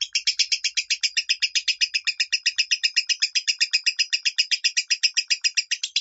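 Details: Lovebird minor-style song from a training recording for pet lovebirds: dense, very regular volley of scratchy chirps, roughly four a second, sustained without a break.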